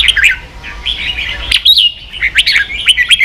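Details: Caged red-whiskered bulbul singing hard in a competitive song duel: bubbly, whistled phrases that slur up and down, loud bursts around the second and a half mark, then quick chirpy notes repeating to the end.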